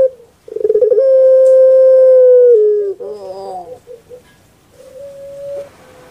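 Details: Captive puter pelung dove, a type well known on Java. Stuttering notes build into a long level tone that dips at the end, then a rough gurgling phrase and a few soft short notes with a faint held tone.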